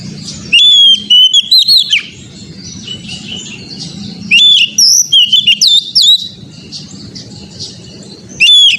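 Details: Oriental magpie-robin singing as a therapy track for a young untrained bird: loud whistled phrases with up-slurred and down-slurred notes come in three groups, with hum-filled pauses between them.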